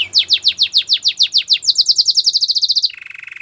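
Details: A Belgian canary, heard as a training aid for silent canaries, sings evenly spaced downslurred whistles that speed into a tight rapid series, then drops into a lower buzzy trill.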